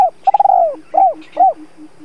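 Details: Decoy spotted dove gives a provoking coo to draw wild doves: a stammered, trembling long note sliding down, then two short rounded hoots, low-pitched and close, with faint soft background notes.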